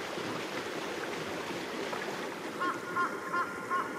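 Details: Large-billed crow (jungle crow), possibly a female, leaves her treetop nest in a tall Japanese red pine where she was brooding eggs and gives four short, nasal urgent alarm caws, wary of the observer, over rushing wind or water; Japan, early May 2017.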